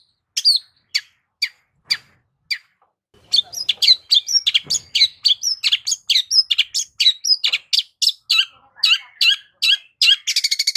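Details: Long-tailed shrike lure song starts with spaced single chips, then bursts into a fast, varied stream of sharp chirps, slurred whistles and buzzy notes, ending in a rapid trill.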